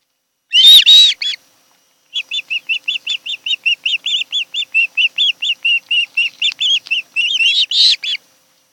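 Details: Osprey at its nest on Kent Island, Maryland, recorded by nest camera in late July; a harsh squeal, a pause, then a lengthy run of evenly spaced high whistled chirps ending in a louder rising squeal.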